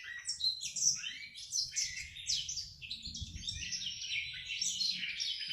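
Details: Black-throated canary under training, giving ngriwik-style song: an unbroken stream of thin, rapid, high twittering and trilled notes, with a low background rumble beneath.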